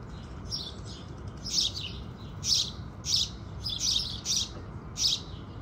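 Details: House sparrows at sunrise giving strong, clipped chirps in small bursts, a few quiet notes first, then louder ones about every half second to second.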